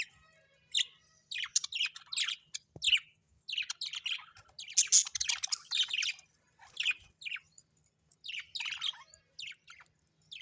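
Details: Domestic budgerigars chattering steadily, a long stream of high, buzzy chirps and squeaky warbled notes with barely a pause throughout.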